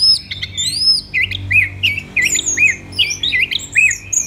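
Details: Orange-headed thrush (Geokichla citrina), song.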